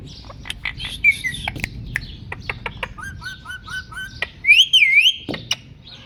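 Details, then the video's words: Indian ringneck parakeet imitating a cat, mixing sharp clicks and ticks, a run of short level whistles, then a loud wavering whistle that bends up and down before ending in a harsh burst. "Meow Meow! Talking Parrot | Cat Voice | Parrot Sound"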